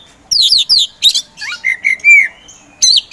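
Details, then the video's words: Caged Oriental magpie-robin, kept as a contest songbird, singing a varied burst: descending whistled slurs and buzzy notes, then clear sustained whistles near the middle and a final sharp rising phrase, with short pauses between phrases. "KACER POCI GACOR SANG PROVOKATOR"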